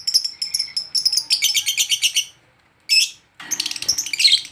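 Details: Lovebird worked up on meeting another of its kind: harsh, shrill chirps in quick clusters, a short silence, a single loud burst, then a scratchy, excited chatter.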